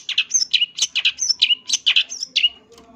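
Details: Champion long-tailed shrike in full isian song, a fast jumble of varied notes: buzzy chips, high thin whistles and short slurred phrases, about two a second, fading out at the end.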